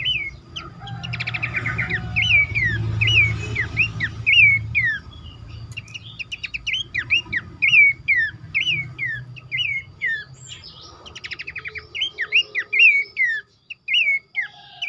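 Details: Horsfield's babbler, played to lure others into calling, gives quick, repeated whistled notes over a faint low rumble.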